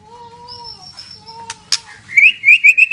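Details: White-rumped shama from Medan, described as very active, gives two low steady whistles with a high overtone, a couple of sharp clicks, then a quick series of five bright rising whistled notes; soft low hum beneath.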